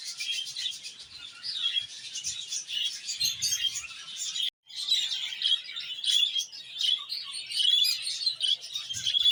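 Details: Many caged budgerigars singing together in an aviary: constant high warbling and chirping, scratchy and rippling, with brief whistled notes, continuing without pause apart from one short break.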